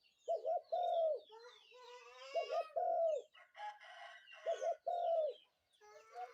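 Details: Spotted dove calling in the morning: paired short coos followed by a longer drawn-out coo, repeated about every two seconds, with harsh crowing-like calls and chatter from other birds between the phrases.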